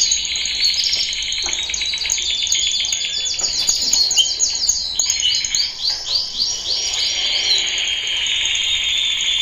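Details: Loud training song of a male canary: a brief whistled phrase, then long runs of rapid rolling trills and repeated quick chirps, shifting pitch slightly between sections, without pauses.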